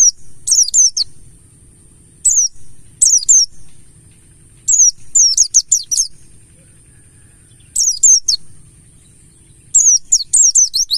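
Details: Ngalas-style pleci buxtoni (mountain white-eye) lure song to set birds singing: bursts of rapid, very high twittering notes in clusters every two to three seconds, with a thin constant high hum underneath.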